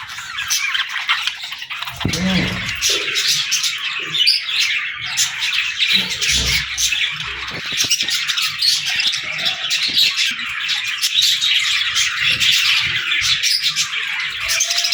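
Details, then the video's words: Baby budgerigars singing and chattering as they play, a dense unbroken wash of high chirps and warbles, with occasional low thuds near the second and sixth seconds. "Baby Budgies Playing & Talking 🐣🎶 | Fun Chirping Sounds"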